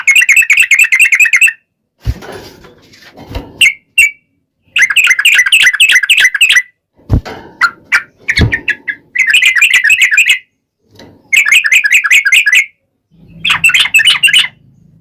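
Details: Sooty-headed bulbul (trucukan) in full energetic song, the long rolling 'ropel panjang' style, used as a lure to make other bulbuls answer. Dense bursts of rapid bubbly chattering notes, broken by short silences and a few scattered single notes.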